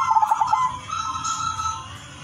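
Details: A brief burst of zebra dove (perkutut, Udan Mas silver) song, sung to attract other doves. Quick staccato notes run into a smooth, sustained coo that fades, with a faint constant hum behind.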